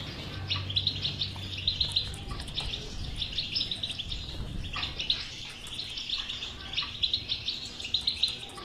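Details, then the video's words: Bitbita-style European goldfinch song used to prompt a silent goldfinch into singing: rapid chattering twitter of short metallic notes in quick clusters, with faint low rumble beneath. "هذه البتبته الحل وعلاج الحسون الصامت بتبته اجرام"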